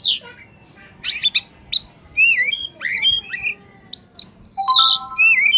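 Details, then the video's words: Oriental magpie-robin in peak singing form, used to lure wild birds: loud varied song of whistled slurs, harsh buzzy bursts and long sliding pure notes, nearly continuous. "suara burung Kacer saat sedang on fire!!!! pancingan burung bakalan/ pikatan"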